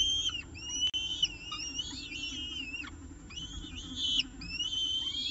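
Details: Peregrine falcons at a nest in Orange, on a nest camera during the evening meal, 6:51 pm, 18 October 2018: thin, high, whistled calls with harmonics, many overlapping and sliding up and down, some sharply rising, in near-continuous bursts over a low hum.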